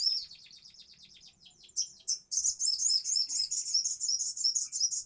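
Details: Crimson sunbird in gacor konslet ngobra song: a fast, very high, dense twittering chatter, slightly quieter at first, then bursting into an unbroken stream of sharp, rapidly repeated chips and trills.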